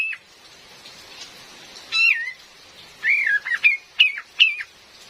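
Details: Female Cream-vented bulbul calling, used as a lure: a drawn-out wavy whistle, then a quick series of four clipped, rising-falling chirps under a constant rain hiss.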